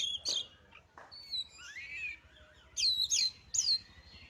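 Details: White-rumped shama song for provoking birds to sing: scattered sharp chirps, a rising and falling warbled whistle, then three loud, clear, high whistled phrases with pauses between.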